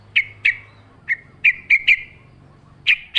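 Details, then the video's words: Yellow-vented bulbul singing vigorously in wild style, recorded with natural ambience as a lure for kept birds: bright sharp chirps given singly and in pairs at irregular intervals, with a faint low hum underneath. "trucukan gacor ngalas full suara alam"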